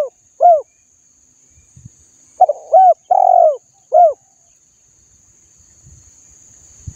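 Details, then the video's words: Spotted dove kept as a cage bird, calling to stimulate birds to sing: short, low, hooked coo notes in an irregular series, one near the start, then a cluster of four around mid-clip, with brief soft knocks and a faint steady high hiss. "Tiếng chim cu gáy kích bổi mỗi ngày"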